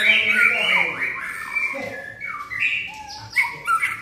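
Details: White-rumped shama singing a loud, varied run of whistles and slurred notes, opening strongly then breaking into short rising phrases, with faint talk in the background.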